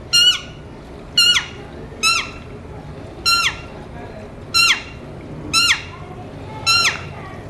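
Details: Alexandrine parakeets kept as talking pets repeat a loud, ringing, downward-sliding call seven times, roughly once a second, each note short and sharp with rich overtones; quiet background between calls.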